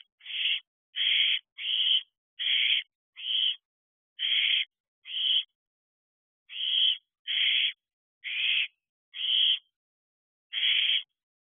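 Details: Barn owl owlets in week 13, fledged, on a nest box at 4:13 am in July 2023; twelve harsh, breathy hissing screeches repeated roughly once a second with one longer gap, steady and loud against silence.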